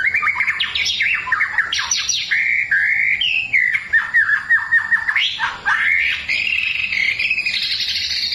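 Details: White-rumped shama lure song from the forest, a long varied run of whistled, sliding and warbling phrases with rapid pitch jumps, delivered continuously without pause.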